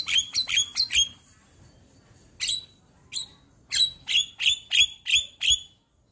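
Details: Champion white-eyed Javan myna in a morning tutoring recording with full fill-ins. Five quick piercing chirps open, then a pause, two single notes, and a run of six sharp bright chirps about three per second.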